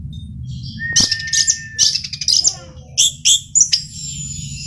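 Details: Male Orange-headed thrush (Geokichla citrina) singing a rich, varied phrase of high sweet notes, a long thin whistle and quick chattering trills, with a faint low hum beneath.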